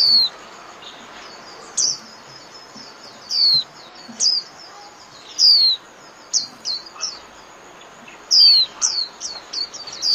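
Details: Japanese white-eye, 'líu' song style for training caged birds: scattered single high, sharp, downward-sliding chirps spaced one to two seconds apart, with a short quick cluster near the end, over faint background hiss.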